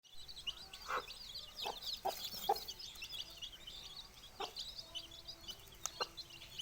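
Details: Four-day-old domestic chicks with their hen after she hatched eggs: a dense chorus of high, shrill peeps runs throughout, broken by short, low clucks from the hen.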